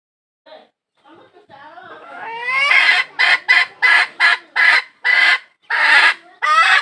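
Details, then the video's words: Hen calling for a rooster: a few soft, rising harmonic notes build into a steady run of loud, harsh clucking bursts, about one every half second, with a final rising squawk. "suab poj qaib seev nrhiav lau tawm tshiab dib tuaj zoo (tiếng gà mái kêu tìm trống mới nhất)"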